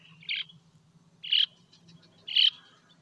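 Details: Sandpiper giving three sharp, high, clipped call notes spaced about a second apart, with a soft low background hum.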